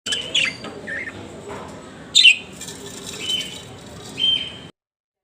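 Budgerigar chirps: scattered short, high, scratchy chirps and warbles at irregular intervals over a faint background hiss.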